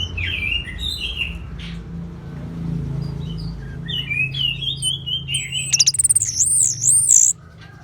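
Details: Orange-headed thrush singing, a recording meant to stimulate quiet birds to sing: soft, varied whistled phrases at first, then a loud, looping, wavering high trill near the end before abruptly stopping.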